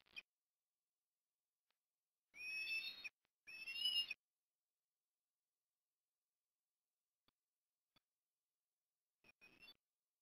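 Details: Osprey at a nest in Port Lincoln, Australia, on an October 2021 afternoon during food deliveries: two loud whistled calls, each about a second long and slightly rising with ringing overtones, then a faint short call near the end amid quiet.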